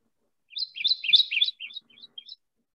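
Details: Kentucky Warbler in dense creekside habitat in central Alabama sings a quick, rolling run of rich, slurred phrases that tumble into one another like a galloping Carolina wren song, one phrase barely finished before the next, then trailing off.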